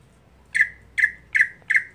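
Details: A daily-kept greater green leafbird sings monotonously, repeating a harsh, squawking note about every 0.4 seconds, four times, each with a brief rasp settling into a slightly falling tone.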